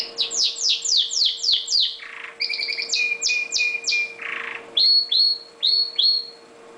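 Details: Song of a pet red factor canary: a fast series of downward-sweeping notes, a buzzy rasp, a rolled trill with a steady tone beneath, then clear repeated whistled notes, with a faint hum behind.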